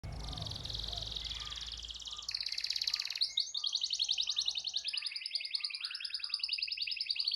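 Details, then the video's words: Canary singing a long rolling song meant to provoke other canaries into singing: fast trills at high pitch, switching from one rapid rattle to another, with a faint low hum beneath. "Kicau Kenari Gacor Efektif PANCING EMOSI Kenari lain Cepat ikut gacor Ngerol panjang"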